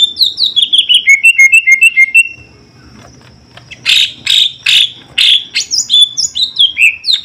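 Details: Captive greater green leafbird during a pairing attempt with a prospective mate, deemed still far from ready to breed, gives a quick run of clear falling whistles, a burst of harsh buzzy chatter, then bright varied whistled phrases.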